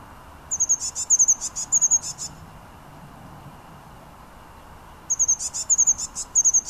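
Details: Blue tit singing in Münchenstein, Switzerland, in January 2013: very high, thin notes in a rapid repeated series, then a pause of about three seconds, then a second similar phrase.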